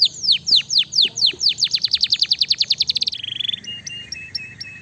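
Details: Fighter canary singing to draw answers from other canaries: loud descending whistled notes speeding into a rapid trill, then a thin sustained high buzz with soft clicks.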